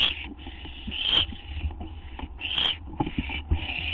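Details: Owl on a live nest camera, 12:38 AM on 8 September 2011, waiting for a gopher or vole treat: harsh, hissing screeches about half a second long, repeated irregularly, with scraping and shuffling sounds and a low background hum.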